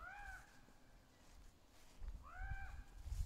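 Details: Adult and juvenile ravens talking to each other among trees: two drawn-out, arched, nasal caws about two seconds apart, with low rumble rising toward the end.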